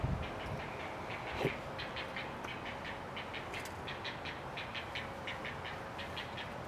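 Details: A juvenile great blue heron being fed regurgitated food by an adult gives a rapid, steady series of dry ticking clacks, about three per second, over a constant low rumble.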